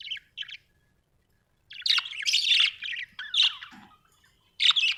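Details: Household budgerigars chattering with squeaky, rising and falling warbles and harsh chirps, starting with two short notes, then a long lively burst and a final loud chirp.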